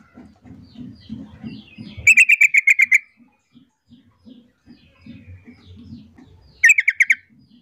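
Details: Calling female sooty-headed bulbul drawing a male into duetting. A fast run of about eight harsh, buzzy pulses, then a shorter run of five, over a background of low knocking and rumbling.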